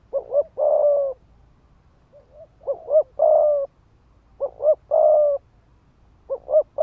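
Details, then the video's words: Ground-decoy spotted dove, 'thúc gù' rapid cooing to incite males to fight: three full phrases of double short notes plus a long coo, a faint brief note between, and a fourth phrase beginning. "Tiếng chim cu gáy mồi đất Thúc Gù kích bổi máu chiến."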